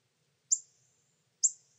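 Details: Pyrrhuloxia chicks begging while a male parent feeds them with food taken from a hand, Terlingua, Texas, summer 2013 or 2014; two thin, very high, short downslurred calls about a second apart, otherwise quiet.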